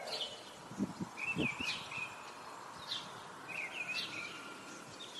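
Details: Nesting Eurasian nuthatch recorded 2 April at Parque das Pedras Salgadas, Vila Real, giving quick high twittering trills in short bursts about a second apart over steady background noise and a few low knocks.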